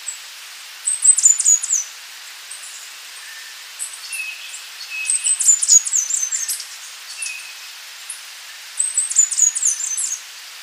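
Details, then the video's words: Slaty flowerpiercer, Diglossa plumbea, singing: high, thin twittering phrases of rapid chips and squeaky notes, three bursts of about a second each separated by pauses, with a few softer lower notes between. "O canto do Perfurador de flores xistoso ( Diglossa plumbea )"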